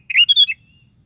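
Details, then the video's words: Single rapid phrase of a sooty-headed bulbul, used to provoke other bulbuls to sing: four or five bubbly, slurred whistles packed into half a second. "DENGAR SUARA BURUNG KUTILANG GACOR"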